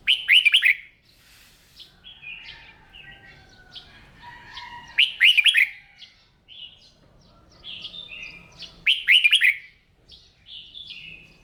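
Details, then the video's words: Kept red-whiskered bulbul repeats its loud warbled phrase three times, roughly every four seconds, during morning singing practice, with softer twittering notes filling the gaps. "Tiếng Chim Chào Mào Hót"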